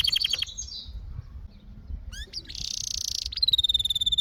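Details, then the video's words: Canary song opening with a rapid stuttered note series, a pause, sharp upswept notes, a dense buzzy roll, then a long pulsed whistle. "Canary Singing"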